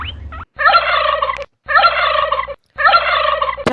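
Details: Domestic turkey gobbling: three loud, rattling, bubbling gobbles, each about a second long, separated by short silent gaps, with a brief squeal at the end.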